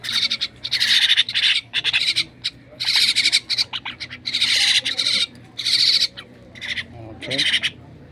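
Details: Myna bird calling while being fed by hand, giving loud, harsh, buzzy squawks in bursts of about half a second to a second, repeated with short pauses, with faint low background noise.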